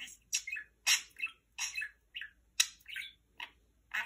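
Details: Pet parakeet, a male, talking indoors, reciting favourite phrases: rapid, scratchy, syllable-like bursts of chatter in quick succession, each lasting a fraction of a second, with brief pauses between phrases in a quiet small room.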